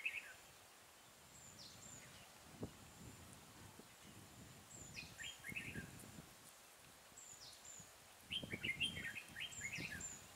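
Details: Red-whiskered bulbul in a trapping session with a caged decoy, 12 April 2018, delivers scattered whistled notes and a burst of fast warbled phrases toward the end, over rustling and low handling noise.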